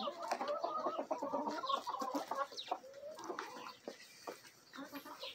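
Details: Backyard flock of chickens, a Bielefelder and Golden Cuckoo Marans mix rooster with Marans, Araucana, Easter Egger and Olive Egger hens, in a feeding frenzy: dense overlapping clucks and murmuring calls, with scattered pecking clicks.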